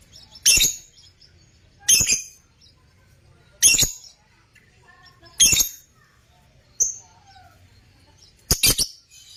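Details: Parblue African lovebirds kept for breeding give sharp, shrill, high chirps, each a short burst, repeated about every two seconds with quiet gaps between them.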